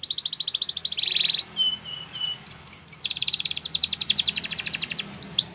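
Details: Spanish Timbrado canary singing a training song: fast trills of repeated notes high in pitch, a buzzy rolled phrase, spaced whistled slurs, then more rapid rattling runs and rising chips.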